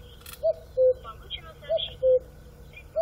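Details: A cuckoo gives clear, falling two-note calls in quick succession, a brief higher note followed by a longer lower one. Faint chirps from other birds and a short click can be heard behind it.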